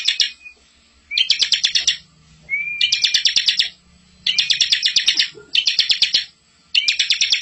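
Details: Master song of a bar-winged prinia (ciblek), played to train young birds: repeated bursts of fast, harsh rattling buzzy notes, each about a second long, sometimes led in by a short rising whistle, with faint low hum beneath.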